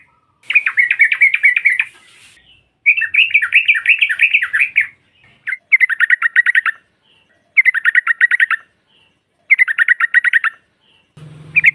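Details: Female sooty-headed bulbul (trucukan) calling to provoke rival birds: five bursts of rapid, buzzy chattering notes, each about one second long, separated by short pauses, with a brief low hum at the very end.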